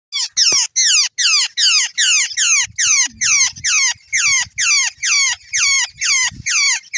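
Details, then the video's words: A jungle babbler flock: harsh, squeaky, downward-sliding notes repeated steadily about two or three times a second, with faint low knocks underneath. "चर्खी पक्षी की आवाज | Babbler Bird Sound | Babbler flock sound"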